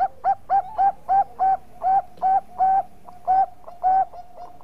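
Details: Lively Bangkok-type zebra dove, or perkutut, giving a golden-voiced lure song of about twelve crisp, evenly spaced coos, each with a soft lead-in note, over a faint steady drone.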